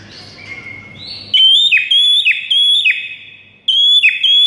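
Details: White-rumped shama morning training song: after a soft start, high clear whistled phrases repeat about every half second, each ending in a quick downward slur, with a brief pause partway through.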